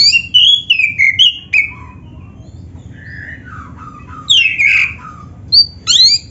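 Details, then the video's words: Black-breasted oriental magpie-robin in full song full of inserted phrases, played to get other magpie-robins singing: loud whistled phrases falling in pitch, softer lower mid-section notes, then renewed bright swooping whistles. "SUARA KACER GACOR FULL ISIAN ‼️ Bikin Kacer Lain ON GACOR"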